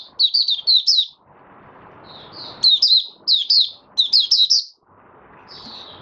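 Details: Caged oriental white-eye in open song, fifth day after monthly deworming, January 2022: three separate bursts of fast, bright, high twittered notes, each about a second long, with low rustling in the gaps.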